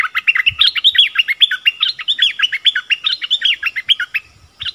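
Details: Bulbul kept as a decoy to draw in wild birds, dated 16 March 2021, giving a busy, continuous chatter of quick, sweet, up-and-down whistled notes, almost one per quarter second, with soft low thumps near the start and end.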